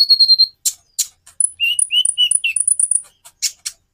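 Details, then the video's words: Konin sunbird singing a varied phrase: a thin high whistle, two sharp chips, then alternating very high and lower clear whistled notes in a quick repeated pattern, ending in scratchy chirps. "Variasi kicau burung Konin bikin burung lain gacor"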